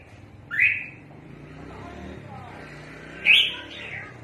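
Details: Red-whiskered bulbul calling a lot, kept for bird trapping: two loud, short, bright notes that sweep upward, about three seconds apart, over a low steady hum.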